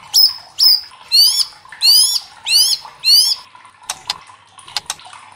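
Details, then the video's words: White-rumped shama singing to provoke other shamas: sharp notes, then four rising slurred whistles evenly spaced, followed by a few dry clicks. "SUARA LANTANG MURAI LAIN JADI IKUT TERTANTANG BUNYI | Pancingan murai batu bikin gacor ngeplong"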